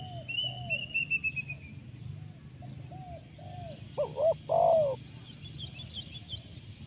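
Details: Spotted dove, called tekukur, luring call of the 'poin penguasa makam' type with abundant 'rrr' sounds: soft background coos, then a single loud phrase of short coos and a long descending note, among high bird whistles and low hum.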